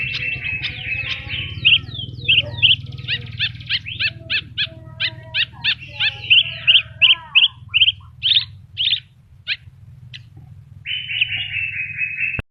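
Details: Horsfield's bush lark, known locally as branjangan, singing vigorously (gacor) with a full repertoire of fill-in phrases (isian): a rapid, varied run of high chirps, slurred notes and brief trills, a few per second, ending in a sustained buzzy phrase over a steady low hum.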